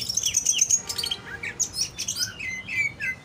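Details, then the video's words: Captive greater green leafbird (cucak ijo) singing a busy, high-pitched medley of chattering trills, short slurred whistles and mimic-like chips, loud and continuous throughout. "cara membentuk burung cucak ijo biar lebih fighter"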